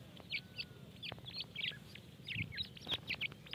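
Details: Feeding grey francolin chicks peep rapidly, with bright, clipped high notes in quick succession, some paired, and a few soft clicks and taps underneath.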